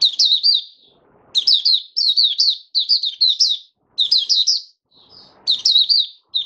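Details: Singing in 'buka sing' style, an oriental white-eye on 20 January 2022, fifth day after monthly deworming, delivers rapid phrases of three to four high slurred chirps, each phrase clipped and repeated after brief pauses, otherwise quiet.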